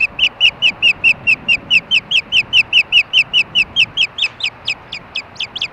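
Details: Osprey pair on a nest watched by camera at Hellgate, Montana, on 4 May 2013 around 8:30 pm, calling during mating: about two dozen short, sharp, whistled chirps in an even rapid series, fading slightly toward the end.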